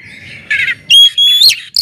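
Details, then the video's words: Oriental magpie-robin, a kept songbird, singing loudly to provoke other magpie-robins into singing: a buzzy burst, then a long clear whistle rising slightly and ending in a sharp upward note. "kacer gacor ngeplong SUARA KERAS BIKIN KACER Lain NAIK EMOSI,, PANCINGAN KACER AGAR RAJIN BUNYI"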